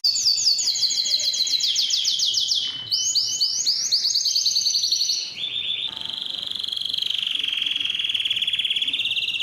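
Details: Yellow canary singing in varied tours: quick rolls of descending notes, a higher rapid series, then a lower, smoother trill held for several seconds.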